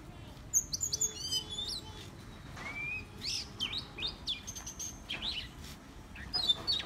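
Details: Oriental magpie-robin (Copsychus saularis) sings a varied, improvised string of clear whistles, slurred notes and sharp chirps, mostly high-pitched, over faint background hiss.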